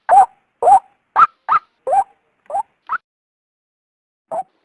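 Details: Female white-breasted waterhen calling, a sound used to lure the male from cover: a fast run of short croaking notes that alternate low and high, fading out, then one last note after a pause.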